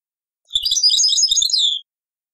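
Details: Taqsrayn-style song of a European goldfinch from an old cassette: a single continuous phrase of about a second of sweet, high, trilling twitters that tails off in a descending slur.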